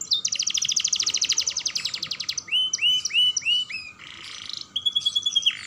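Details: Young canary singing energetically as a lure for other canaries: a long, rapid trill of over two seconds, then four swooping notes, a short rasp and a steady high-pitched trill.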